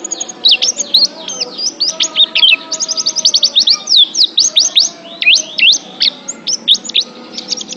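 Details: Oriental white-eye (pleci) song used as a mental-therapy training recording for pet birds: rapid high chirps, slurred whistles and quick rising-falling notes in a dense continuous stream, with faint lower tonal hum beneath.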